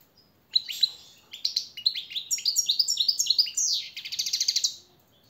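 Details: European goldfinch song used as a master and motivating call: a fast, tinkling run of bright twittering notes and short buzzy trills, high-pitched and tumbling quickly for about four seconds.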